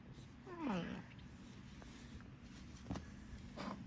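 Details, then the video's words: A pet female blue-and-gold macaw, playing behind a chair indoors, fake-coughs: a single hoarse, falling cough-like sound, then a couple of short dry clicks, with faint human talk in the background. "fake coughs"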